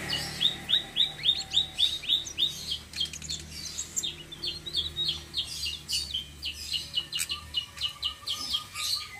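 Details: Flowerpecker singing a rolling song, used as bait to draw other birds: rapid high thin downslurred ticks repeated about three or four per second in a steady roll, with faint background hum.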